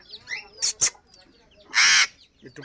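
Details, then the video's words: Alexandrine parakeet, a raw or Kashmiri talking tota: two quick sharp bursts, then after a pause one loud, harsh, wide-band screech lasting about a quarter second, with faint voice-like chatter around it. "Beautiful toking Raw Alexdrin parrot Bolny Wala Tota Raw Kashmire Tota"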